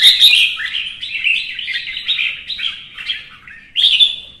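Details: Red-whiskered bulbul singing competitively, provoked into heated fighting song: rapid run of bright, warbled phrases jumping up and down, a brief pause near three and a half seconds, then a loud sharp burst to finish.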